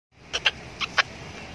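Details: A blue-and-yellow macaw (Ara ararauna) gives four short, harsh, clipped chirps in two quick pairs over about a second, against faint room hiss.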